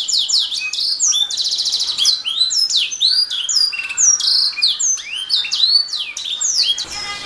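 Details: Canary song used as a master recording for training pet songbirds: a dense, continuous stream of bright, high whistles, rapid rattling trills and quick rising and falling sweeps, with almost no pauses. A soft click is heard near the end.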